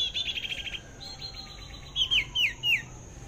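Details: Flowerpecker recorded during bird trapping: a rapid, buzzy, high-pitched trill of clipped notes lasting under a second, then a fainter similar trill, followed by three sharp, loud, downslurred notes spaced about a third of a second apart.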